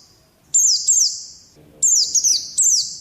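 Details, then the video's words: Training audio for pet Oriental white-eyes: a pair of high, sharp downslurred chirps, a pause, then a quick series of three, with a faint low hum in the background. "Pleci malas jadi ngalas || TERAPI PLECI"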